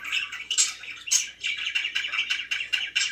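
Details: Pet budgerigars chirping indoors: a dense, busy chatter of short buzzy and squeaky notes, with sharper high squeaks bursting out about twice a second and an irregular rhythm.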